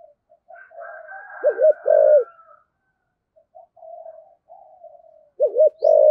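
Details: Lure spotted dove singing in the 'thổ sấm' voice: faint murmuring, then a loud double coo and long coo, a quiet humming interlude, and another sharp double coo with a sustained note.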